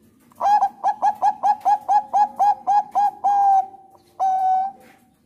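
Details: Bangkok-type zebra dove (perkutut), a sweet song described as suited for bird training and as a lure to prompt other doves to sing: a quick run of about eleven clipped cooing notes, then a long held coo, a pause, and one more drawn-out coo.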